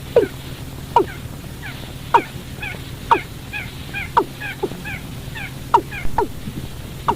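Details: Watercock calling, used as bait to trap birds after dark: a long run of abrupt descending notes roughly once a second, sometimes doubled, interleaved with quieter high chirps, over a steady low hum.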